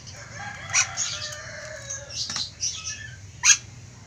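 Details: An ornate lorikeet (Trichoglossus ornatus) gives harsh, shrill screeches, three strong bursts over four seconds with softer chattering notes between, over a low background hum.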